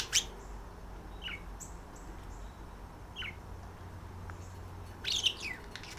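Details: A pair of pet budgerigars, a guest female and a male, call to one another at night while flirting; sharp chirps open, isolated falling tweets follow at roughly two-second intervals, ending with a scratchy chirping burst.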